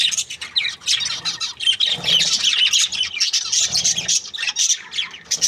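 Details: Happy budgies produce a steady stream of high, warbling chatter and buzzy squawks, many voices overlapping throughout with no real pause.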